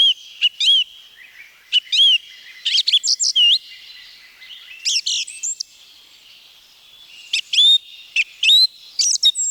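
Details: Song thrush in woodland of Wielkopolski National Park, Poland, pouring out varied bright phrases: sharp clicks, rising whistles and clustered notes in bursts, some motifs repeated, with short gaps between groups.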